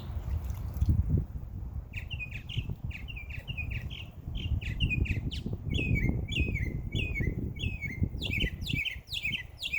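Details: Backyard birds chirping on a summer day, a near-continuous run of bright, quick downslurred chirps repeated many times over ten seconds, growing busier toward the end, with a low rumbling background throughout.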